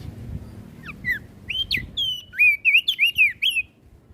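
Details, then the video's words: Flores crested white-eye in full song, meant to rouse other birds; sparse opening chirps build into a fast series of bright, bending whistled notes before fading, over a low hum. "Opior Jambul flores Gacor Bikin Emosi Burung Yang Dengar Pasti Langsung Ribut"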